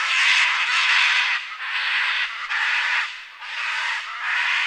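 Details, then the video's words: Scarlet macaw screaming, a harsh, raspy, broadband squawk given in long drawn-out bursts of about a second each, repeated five times with brief dips between, loud and grating throughout. "Scarlet Macaw Screaming | Scarlet Macaw Sound | Scarlet Macaw (Ara Macao) Video | Macaw Flight Call"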